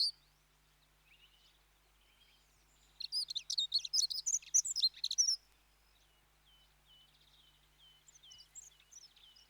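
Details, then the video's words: Dunnock singing a rapid, scratchy, high warbling phrase of about two seconds in mid-clip, flanked by faint thin twittering notes before and after, with quiet background otherwise. "Dunnock (Prunella modularis) Sound Effect"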